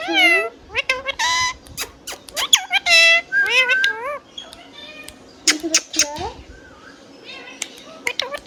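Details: Pet Rose-ringed parakeet, hand-tame, talking in a rapid chattering stream of harmonic speech-like syllables, quick up-down inflections with a few clicks, then quieter after the middle.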